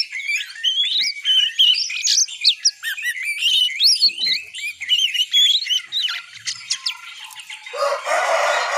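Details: Young oriental magpie-robin practising ngiriwik, its learning song: continuous varied high twittering with sweeping whistled slurs and scratchy notes, giving way at the end to a wash of hissing noise.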